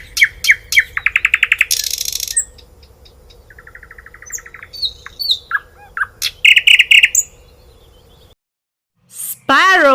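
A sparrow gives bright, sharp chirps, then a fast buzzy series and a short dry trill, with varied notes in between. It ends in a brief pause and a different swooping call.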